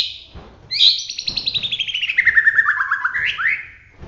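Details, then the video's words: White-rumped shama of the Bahorok type from around Medan, singing actively in the roll tembak style: a bright opening note, then a fast rolling series of sweet notes sliding steadily downward over about three seconds, ending in two upward flicks. "suwara murai batu Bahorok gacor roll tembak"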